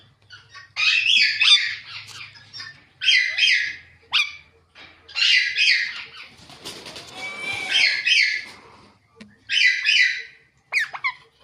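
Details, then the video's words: Pet ringneck parakeet chirping naturally: rasping, buzzy squawk phrases roughly every two seconds, with a burst of wing flapping or rustling midway. "Ringneck Talking Parrot Natural Chirping Sounds"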